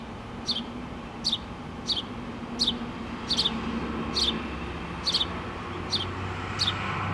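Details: House sparrows, mother with two babies, nesting in a pole on 8-3-2017. Nine quick, high chirps, a few doubled, repeating about every 0.7 seconds over a rising low hum.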